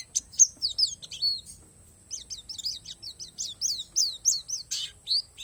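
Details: Palas Borneo Oriental white-eye in isian alam song: a few bright high whistles, a short pause, then a steady run of about a dozen similar downslurred chirps, ending in a lower slur.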